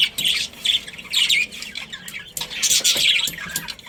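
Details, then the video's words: Chirping budgerigars in a colony: warbling, scratchy chatter in three or four loud bursts, broken by quieter pauses. "Cute Budgies Chirping Sounds"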